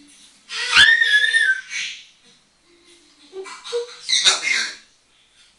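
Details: Pet African grey parrot talking and whistling: a loud one-second passage with gliding whistled tones over breathy sound, a pause, then short low notes and another breathy burst.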